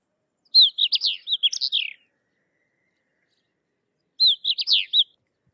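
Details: Sykes's lark song in two high, fast phrases of jumbled chirping and slurred whistled notes. The first lasts over a second; the second, shorter one comes after about two seconds of silence. The background is clean and quiet.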